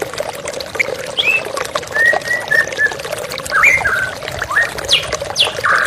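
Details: White-rumped shama therapy track with flowing water, for a stressed bird that has stopped singing: scattered whistled phrases, a few high sweeping notes and a harsher burst at the end, water rushing throughout.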